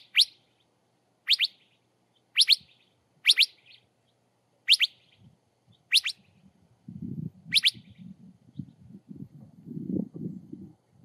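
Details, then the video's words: Curve-billed thrasher, a desert bird of cactus country, giving sharp bright whistled calls, single and paired, repeated at irregular intervals of about one second, followed by low rumbling background noise. "Curve-billed Thrasher Bird - Songs and Calls"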